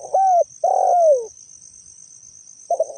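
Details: Spotted dove recorded as a lure call: a level coo, then a longer descending coo, a pause of over a second, and the start of the next phrase, all set against a constant thin high hiss.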